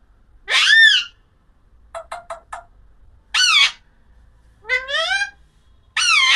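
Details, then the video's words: Alexandrine parakeet with loud descending screeches, a quick run of four clipped chirps, and a rising nasal call. The bursts come irregularly, around a second apart. "Natural Parrot Sounds Compilation | Amazing Parrot Chirping Sounds Alexander parrot talking video"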